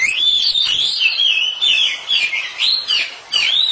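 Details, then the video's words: Two Oriental magpie-robins, a pair trading song, pour out looping whistled phrases that rise and fall in quick succession, nearly unbroken throughout. "Sepasang kacer sedang beradu kicauan"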